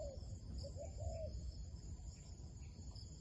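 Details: Wild dove calling while being lured into a trap: short arched cooing notes, two quick ones and then a longer falling coo. Steady low rumble and a constant high electronic whine run underneath.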